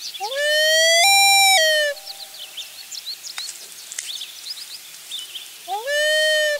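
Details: Loon family with a chick on their last day at the nest, the mother wailing as an intruder may be near; two loud, clear, tonal wails, one rising into a long held note and another beginning at the end, over soft background birdsong.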